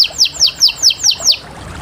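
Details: Canary song: six loud downward-slurred whistled notes, each about a quarter second apart, then quiet.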